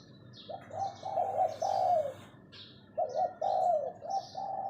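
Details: Captive decoy spotted dove giving its luring 'phao' call: two bursts of hoarse, rolling coos in short linked phrases, separated by a pause, with thin high chirps of other small birds above.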